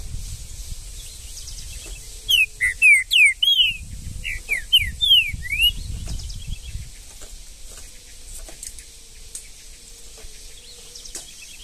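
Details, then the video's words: Green-winged saltator singing in the bush in Brazil: a run of about ten loud, sliding whistled notes over roughly four seconds, rising and falling in quick succession, over low background rumble. "MUITA FIBRA trinca ferro no mato"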